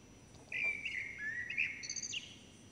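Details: Common blackbird (Turdus merula) chicks, fed by both parents, begging for food: a brief run of thin, sliding whistled notes, some rising sharply, over about a second and a half, with faint background hiss.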